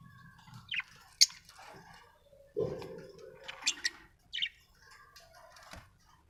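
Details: Budgerigar giving quick bright chirps and a brief scratchy burst. The notes come in small clusters, with gaps between them and a faint low hum behind.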